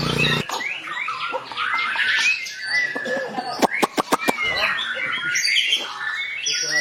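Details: White-rumped shama in a long rolling song for tutoring other shamas, with a busy flow of whistled slurs and chatter broken midway by a series of sharp loud clicks, then more varied whistles.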